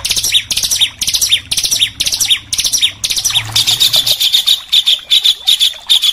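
Oriental magpie-robin song in fast, harsh bursts: high, sharply falling notes, two to three each second, with a low hum under the first part.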